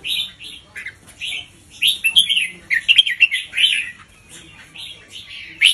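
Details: Red-whiskered bulbul teacher bird in a cage, singing a slow, clearly spaced doubled song for teaching young birds; a run of loud, liquid warbled notes rises in strength, then fades.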